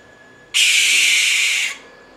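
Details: One loud, rough, hissing screech from an American barn owl (suindara) in Brazil, lasting just over a second against quiet background hiss.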